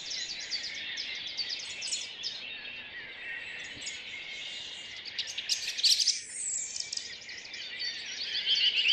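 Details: Dawn chorus in a Rheine city park, Germany, May 2011 multitrack recording: many birds chirping and trilling together in fast high bursts, one longer sweeping note near six seconds, steady busy background of calls.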